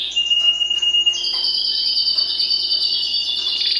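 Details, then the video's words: Timbrado canary, a domestic breed, singing long level whistled tones that shift in pitch partway through, with a soft fluttering texture and faint clicks in the background. "CANARY SINGING"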